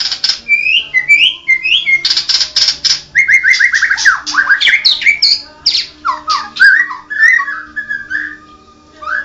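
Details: White-rumped shama, Medan 'blorok' form, delivering a dense, loud song of sharp clicks, rapid descending whistle series and squeaky slurred notes, varied and continuous for nine seconds, with a faint hum behind.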